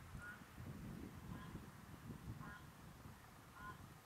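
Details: American flamingo (Phoenicopterus ruber) at Lagunska ribogojnica nature reserve, Slovenia, 15 February 2024, giving faint, goose-like nasal honks about once a second over a steady low rumble of wind.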